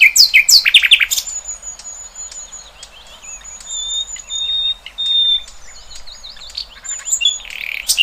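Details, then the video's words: Free-living birds in nature open with a quick run of sharp descending chirps, then settle into thin, high, drawn-out whistles and small wavering notes, ending with another short chirpy burst. "Kicauan Burung Cerminkan Suasana Damai"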